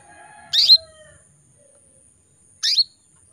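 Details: Calling to males, a female canary in breeding condition gives two high, clipped chirps two seconds apart, with a faint lower whistle trailing after the first.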